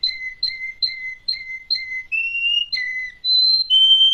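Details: Russian canary song opening with five evenly spaced whistled notes about twice a second, then longer rising and level whistles at higher pitch; clean and quiet.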